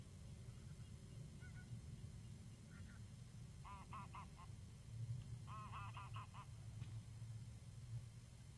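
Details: Geese flying over in Kulgur, Estonia, on 28 March 2018 in the evening: distant clusters of nasal honking calls in short bursts over a steady low rumbling background noise.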